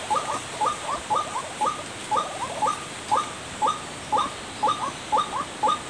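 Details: Even series of short, hoarse notes from a white-breasted waterhen, played as a bird lure, each note a quick doubled croak, about two per second, against a faint steady hiss.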